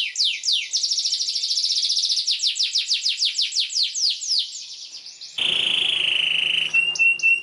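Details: Canary in long, lively song with emotional chirps, played as a tutor for young canaries learning to sing: quick descending sweeps repeated about three times a second, then a sudden steady high buzzy trill with a sharp high note.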